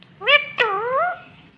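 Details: Green ringneck parrot talking: two clear harmonic syllables, the first short and level, the second longer with a dipping then rising tone, in a quiet room with a faint low hum.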